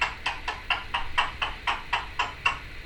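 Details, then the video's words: Pet female Timneh African grey parrot making a new noise indoors, about ten sharp clicking pops repeated roughly every quarter second. "Cleo the Timneh African Grey... chattering and noises"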